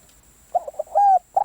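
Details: Spotted dove, a decoy bird: short broken cooing, a few soft stuttering notes, then a longer clear coo and the start of another phrase.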